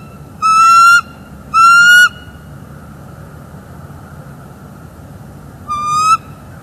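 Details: Bald eagle at a live-cam nest in northeast Florida, morning of 27 December 2021, gives two quick squealing notes back to back, then a quieter third after a long silence, amid the pair's mating and incubating.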